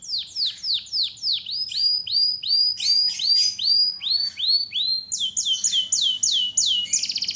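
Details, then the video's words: Canary song of evenly spaced, downward-curving whistled notes, roughly three each second, gradually dropping in pitch before a faster, higher series and a closing buzzy trill. "Masteran asli kicauan burung kenari gacor full paling indah dan merdu"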